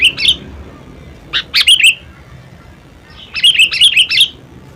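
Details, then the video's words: Sooty-headed bulbul: a short two-note burst, a quick three-note phrase, then a longer run of six lively chirps, bright and slurred. "SUARA ASLI KUTILANG"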